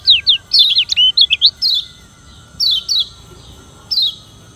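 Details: Lombok yellow white-eye (kecial kuning) giving a rival-provoking challenge song: a rapid jumble of sharp, high, looping whistled chirps, then single thin downslurred notes at roughly one-second intervals.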